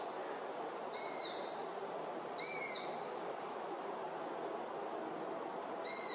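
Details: Begging calls of a juvenile Eurasian sparrowhawk, recorded 11 August 2021 at Beemdkant, Wijnegem: three plaintive, arched whistles, each under a second long, separated by gaps of one to three seconds, against constant low rushing background noise.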